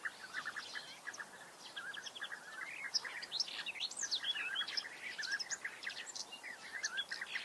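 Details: Several European bee-eaters giving soft rolling purring calls that overlap continuously, mixed with higher chirps from other birds.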